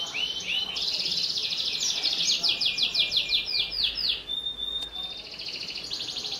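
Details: Vocal canary, used to prompt young canaries to sing: fast high trills building into a long series of arched, rattling notes, a brief whistled tone and a closing buzzy roll.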